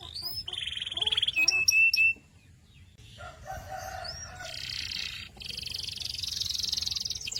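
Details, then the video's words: Canary song in varied pieces: a few sharp whistled notes and a clear high sustained tone, a short pause, then low buzzy phrases and a steady high rattling trill to the end. Low background hum. "Sweet Canary Chirping Sounds"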